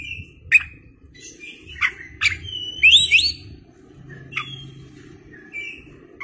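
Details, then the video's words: {'text': 'Kacer, Oriental magpie-robin, in full song with tail spread, lure recording: sharp isolated clicks and short whistles spaced unevenly, building to a quick pair of bright rising slurred notes, then sparse thin whistles.'} "KACER gacor ngeplay buka ekor"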